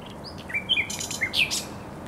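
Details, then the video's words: Short phrase from a thrush nightingale singing in spring on the Żerań Canal, Poland, 24 April 2022: slurred whistles and sharp downward flicks, a few loud buzzy bursts. "Śpiew słowika rdzawego na Kanale Żerańskim"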